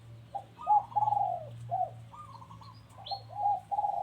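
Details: Overlapping dove coos recorded at home, warbling low notes that rise and fall in quick succession, possibly more than one bird, with one brief high chirp and a steady low hum.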